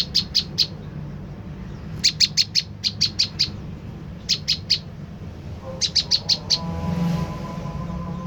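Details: Lure call of the olive-backed tailorbird, used to draw a response from others of its kind: bursts of three to five shrill, clipped high notes repeated every second or so, with low hum and faint music underneath.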